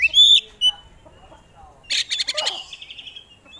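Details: Oriental magpie-robin (kacer) singing actively and showing off its repertoire: a bright high whistle, a short pause, then a harsh rapid rattle of clipped notes fading into a buzzy trill.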